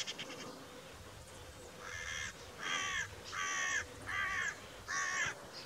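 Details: Carrion crow calling: four harsh, hoarse caws spaced under a second apart, each drawn out with a slightly downward sweep, over a steady low background hum.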